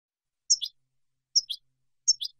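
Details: European goldfinch from a silvestrismo collection giving three short, separated call phrases, each a sharp high note followed by a lower twangy one, spaced under a second apart in silence.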